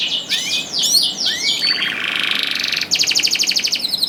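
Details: Canary singing to encourage quiet canaries to join in; arching whistled sweeps, then a long buzzy trill and a bright rapid pulsed roll.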